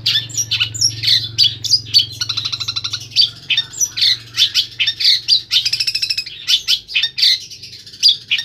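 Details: A Central Javan long-tailed shrike from Pemalang sings isian sekebon: varied high chirps and whistles interrupted by two fast buzzy rattles, then more quick scratchy notes, steady low hum in the background.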